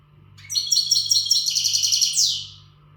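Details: Untutored European goldfinch in full readiness form delivers a fast, bright, buzzing twitter of rapid repeated notes about two seconds long, ending in a rising-falling sweep, with a constant low hum behind it.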